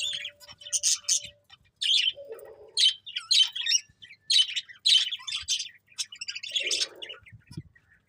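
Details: Budgerigar chirping in separate bursts of high, quick warbled phrases about every half second to second, with a few short lower buzzy notes between them.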